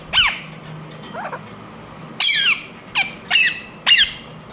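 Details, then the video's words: Indian ringneck parakeet making a few loud, shrill squawking chirps with falling tails, spaced about half a second to a second apart, plus one softer note early on. "Parrot Chirping sounds Natural Sound | Ringneck parrot Naturals Sound"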